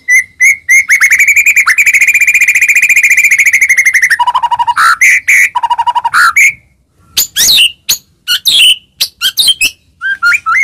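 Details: White-rumped shama singing to provoke other shamas into song: a long sustained buzzy trill, lower mellow whistles, then scattered sharp high notes.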